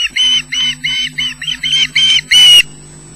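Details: Osprey at a Loch Garten nest in Scotland calling for fish: loud, strident repeated squealing notes, around eight in rapid sequence, ending in one harsher, noisier squawk before silence.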